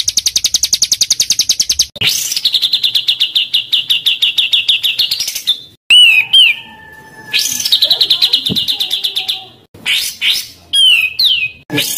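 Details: Small songbird in a varied, dense song for training pet birds: a rapid high rattle, then a long sustained buzzy trill, followed by loud whistled upslurs, downslurs and quick chattering phrases with short pauses between them.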